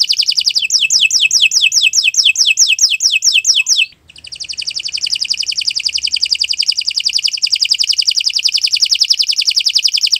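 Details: Canary song used as a master recording for training other birds: a run of fast descending whistled notes, then a long rapid buzzy trill after a brief pause.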